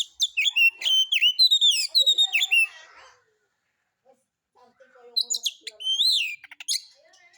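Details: Singing white-rumped shama used as a lure for other birds, harsh rough style: quick whistled and chirping phrases, then quieter lower notes and a brief gap before more sharp slurred whistles.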